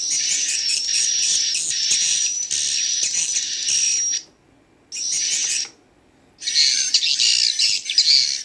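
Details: Played-back swiftlet chicks, with adult swiftlet sounds possibly mixed in, give packed, high chirping in three bursts separated by short silences, with a faint thin whistle tone over the chatter.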